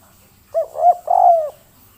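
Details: Spotted dove, local tekukur of the kuk 3 type, delivering its coo: two short notes then a longer, gently falling coo, against a faint steady hiss.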